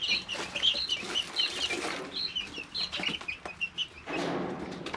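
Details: Several three-week-old chicks in their brooder give bright, short piping notes in quick clusters, then a burst of rustling litter near the end, with scattered taps of beaks and feet.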